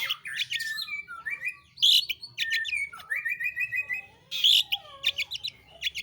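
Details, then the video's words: Actively singing long-tailed shrike (pentet/cendet), 'roll tembak' style: rasping buzzes mixed with clear descending whistled slurs and rapid clicking rolls, the phrases running almost without pause. "burung pentet/cendet gacor ROLL tembak"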